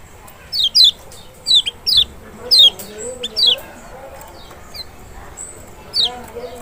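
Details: Lemon-bellied white-eye (Kecial of Lombok or Sumbawa) lure sound to prompt a reluctant bird to respond: a cluster of piercing, high notes sliding steeply downward in quick doubles, then a pause and one final note.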